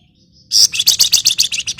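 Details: Female scarlet minivet calling to a male: after a short quiet lead-in, a fast run of about nine sharp, high chirps in just over a second, each a bright clipped tweet, with faint low background rumble.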